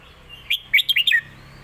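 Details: Master song from a caged competition Red-whiskered bulbul, sung to teach young birds: one short, clear, jaunty phrase of five quick whistled notes that rise and fall, against a quiet background.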